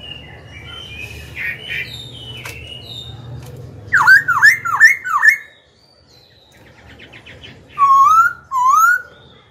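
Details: Song of a Black-throated laughingthrush used to challenge rival birds and train young birds. Over a low hum come four looping whistled notes, a thin buzzy trill, then two smooth rising whistles.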